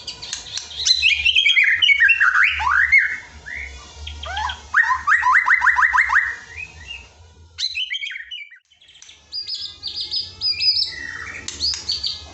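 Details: White-rumped shama (murai batu) song used to train lazy birds to sing: rich whistled phrases, fast trills of repeated notes, a brief pause, then high ringing whistles and chatter, with a low background hum.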